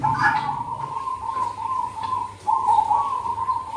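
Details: Zebra dove cooing, recorded to lure birds in the cold season. A nearly continuous run of quick pulsed coos is broken by one short pause, over a low droning background.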